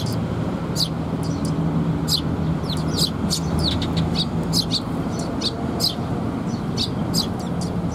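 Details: Fledgling Eurasian tree sparrows fed by parents, 6 May 2021, chirping densely: rapid clusters of shrill high notes, quickening mid-clip, set against constant low traffic drone.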